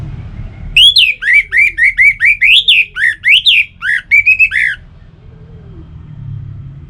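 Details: Orange-headed thrush in full song, used as a lure so kept birds start singing: a four-second stream of rapid, varied whistles and slurred notes, many rising then falling, delivered almost without pause, loud and clear.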